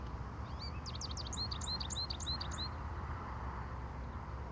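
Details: Male American goldfinch singing up close in Iowa, recorded handheld: a quick, bright run of high twittering chirps and slurred whistled notes lasting about two seconds, then quiet, over a steady low rumble of background noise.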